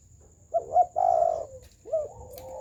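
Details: Spotted dove round coo (gù tròn): a quick doubled note, then a long sustained mellow coo, followed by a softer, trailing, level coo. A faint steady high tone is heard throughout.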